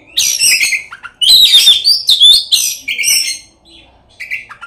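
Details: Oriental magpie-robin giving a lure song rich in filler phrases, used to rouse rival magpie-robins to sing and fight; loud buzzy chattering phrases with bright whistled notes, then a softer trailing pause.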